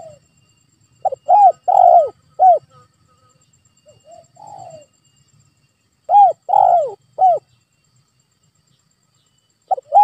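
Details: Spotted dove call used as a lure so a reluctant pet dove starts calling back; two bursts of clear rounded coos about five seconds apart, with a soft rough coo between them.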